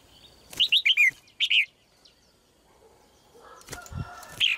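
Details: Female red-whiskered bulbul singing: one quick run of four bright, slurred whistled notes falling slightly in pitch, then a short two-note phrase; soft rustling and a low thump follow near the end.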